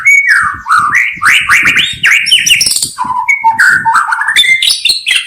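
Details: White-rumped shama singing a rich, fast medley of whistles, rising and falling slurs and harsh notes, with a brief pause midway before more clear, stepped whistles.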